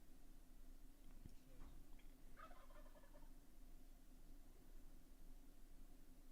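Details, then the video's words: A distant turkey, heard indoors on 25 March 2025, gives one brief, rattling gobble lasting about a second, faint over a steady low indoor hum. "Do you hear that turkey? Yeah, I heard that."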